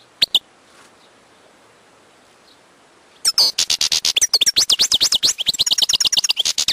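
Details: Wild European goldfinch singing: after two lone chirps and a pause, a fast tumbling run of high twittering notes, buzzy trills and rising-falling whistled slurs, several per second.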